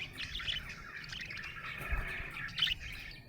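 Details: Happy budgerigar giving a continuous twittering warble, with bright sharper chirps near the start and end over a soft background hum.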